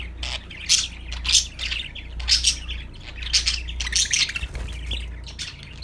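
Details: Happy parakeet singing: rhythmic bursts of harsh high chirps about every half second, forming a lively twittering chatter over a low steady hum.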